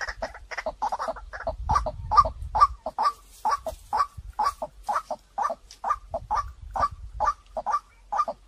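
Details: White-breasted waterhen lure call, a clear recording meant to draw birds in quickly: hoarse double notes around a low, mid pitch repeated steadily about twice a second, with low rumbling handling noise in places.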